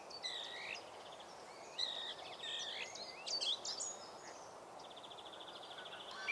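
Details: Song Thrush, brown with a spotted breast, singing in a park; a run of varied whistled and trilled phrases, some briefly repeated, over steady background hiss.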